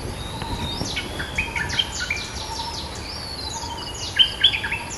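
A Cream-vented Bulbul gives bright, bubbly whistled notes that sweep up and down in quick bursts, answering a rival. Steady high insect hum and a faint thin tone run throughout.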